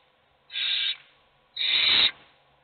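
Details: Hungry owl chicks begging in their nest box: two breathy, wheezing hisses, the first softer and the second longer and louder, about a second apart.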